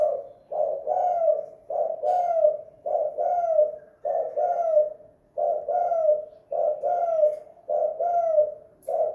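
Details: Spotted dove at home, the two-kuk hanging guk lure call of the tekukur: steady repeated phrases of a short hoarse coo followed by a longer falling one, about every second, clean and loud.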